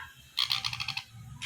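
A sun conure chick gives a harsh, raspy, rapidly pulsed begging call lasting about half a second, with another rasp starting just after.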